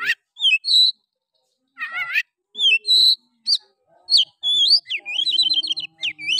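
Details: Oriental magpie-robin singing to goad other males into song: clear drawn-out whistles and falling slurs, a buzzy multi-note burst, then a fast rattling series of repeated chirps near the end.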